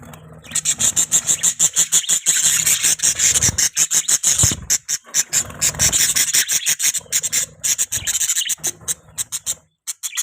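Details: Budgerigar chirping in a continuous, busy stream of rapid, raspy high notes and chatters, with barely a gap for about ten seconds and a soft low hum in the background.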